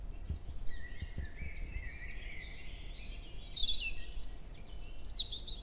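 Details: European robin in early-May morning woodland at Hoher Peißenberg, 7 a.m., a female close by exchanging contact calls. Long thin whistled line gently rising, then a bright, high, rapid flourish of sharp notes near the end.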